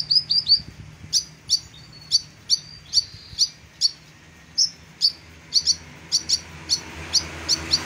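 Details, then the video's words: Kolibri ninja, a sunbird, singing vigorously for a tutor recording: opening run of high whistled notes, then a long series of sharp clipped chirps roughly every third of a second, some paired. "Kolibri Ninja Gacor Masteran Jos"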